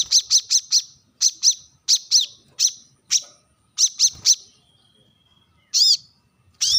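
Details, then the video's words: Brown-throated sunbird sharp calls used to call rivals: series of short, high chirping notes in quick bursts of two to four, then a thin steady whistle and two louder, fuller high notes near the end. "kolibri kelapa | manggar | wiceh | suara tajam memanggil lawan"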